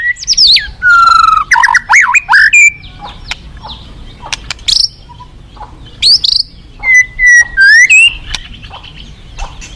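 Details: White-rumped shama pouring out buzzy trills and swooping whistles, a pause with soft clicks, then another run of clear whistled notes that dip and rise.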